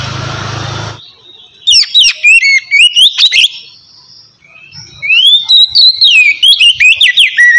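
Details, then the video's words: Oriental magpie-robin (kacer) singing in the relaxed ngeplong style, used to coax lazy birds into singing: after a second of broad low hiss, loud bursts of sharp whistled, rising and falling phrases in two runs with a quiet gap between. "kacer ngeplong santai ampuh buat mancing kacer malas binyi agar cepat rajin bunyi"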